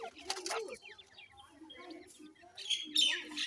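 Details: Grey francolin chicks during feeding: quick descending peeps in a loose stream, with low murmuring tones underneath and a bright rustling burst near the end.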